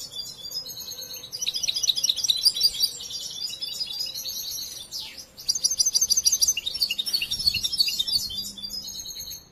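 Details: European goldfinch still in training, raised from hatching, delivers bright twittering song: dense trilled bursts of high chirps, a short downward sweep midway, then more rapid repeated notes; low hum in the background.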